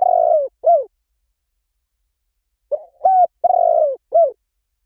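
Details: Repeated cooing of a spotted dove, meant to draw birds in quickly: a long rolling falling coo and short end note, a pause, then a full phrase of clipped note, level coo, trembling coo and drooping coo.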